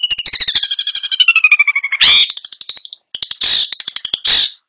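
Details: Long-tailed shrike in full song with fill phrases: a rapid pulsed trill sliding steadily downward in pitch, followed by harsh, rasping bursts set between quick chattering notes.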